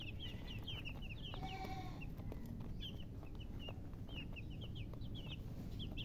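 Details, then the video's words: Chicks chirping: high, short, downslurred peeps come in scattered bursts over a constant low rumble of background noise. "Baby "Chicks Chirping" Sound"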